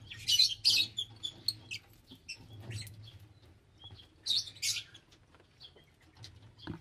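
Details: Lovebirds giving sharp, shrill chirps and harsh screeching bursts in quick irregular clusters, loudest at the start and again near the four-second mark, with a faint low hum underneath.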